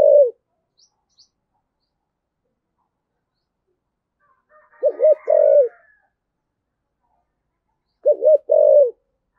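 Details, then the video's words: Spotted dove of the 'thổ sấm' voice type, cooing vigorously. Two full deep phrases sound several seconds apart, each a rapid double hoot and a longer trailing coo, plus the tail of an earlier coo at the start. "cu gáy giọng thổ sấm thúc gù rất cực đỉnh"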